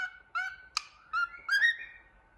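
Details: Happy cockatiel looking in a mirror, giving short harmonic-rich whistled notes near steady pitch, a sharp click-like note, then a rising whistle sliding upward and fading, with quiet pauses between.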